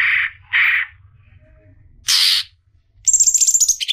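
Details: A female Greater green leafbird calls to a male: two harsh rasping notes, a loud scratchy burst, then a quick run of high, bright whistled notes sliding slightly down.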